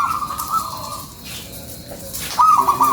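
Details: Local zebra dove lure song, an actively singing bird: a sustained, slightly trilled coo near one pitch, a pause with faint background noise, then a second bright, rippling coo phrase starting.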